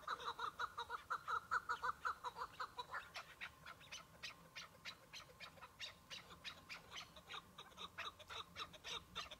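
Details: A Chukar partridge, one bird on a spring hunt in patchy snow, delivers a regular series of clucking chuck notes for about three seconds, followed by a long run of sharp, dry clicking notes.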